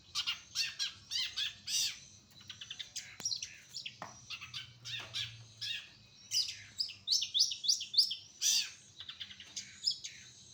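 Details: Local cendet (long-tailed shrike) from Kutai Barat, East Kalimantan, in a busy, varied song. Rapid high chirps and twittering notes come in bursts, with short scratchy phrases and brief pauses between them. A faint low hum sits underneath.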